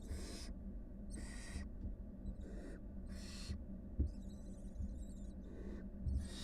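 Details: Breathy screeching hisses from a wild barn owl brood of five with their mother, spaced irregularly with one softer chattering rasp, above a continuous low background drone.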